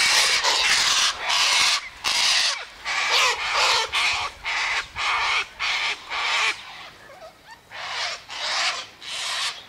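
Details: Sulphur-crested cockatoo flock at a daily feeding spot by the eastern gate, eating sunflower seeds and wheat; loud, rasping screeches follow one another rapidly, over a dozen harsh blasts with short gaps.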